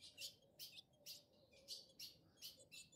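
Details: Excited wild male ultramarine grosbeak mounting a female in woodland; loud raspy chirps repeated roughly twice a second, evenly spaced, over quiet background.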